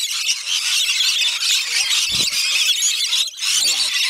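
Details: Rainbow lorikeets in a feeding frenzy at a wildlife park on the north-east side of Magnetic Island, off Townsville, Queensland, Australia: a dense, continuous wall of shrill, high screeching chatter from many birds, with brief human voices underneath.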